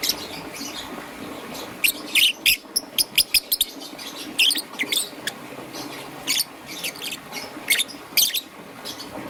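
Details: Young green and yellow peach-faced lovebird in the morning giving sharp, high chirps, alone and in quick bursts of two or three, with gaps of a second or more between bouts.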